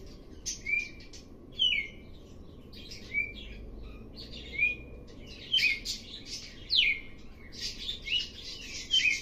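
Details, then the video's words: A red-cowled cardinal sings short, clear whistled phrases with quick slurred notes, starting quietly and growing louder, over a steady low hum. "Galo de campina começando BAIXO e aumentando o CANTO."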